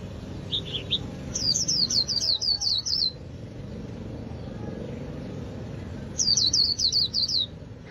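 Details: A captive white-eye from northern Vietnam gives two quick bursts of thin, high twittering, each a run of about eight rapid, slurred notes, over a steady low rumble.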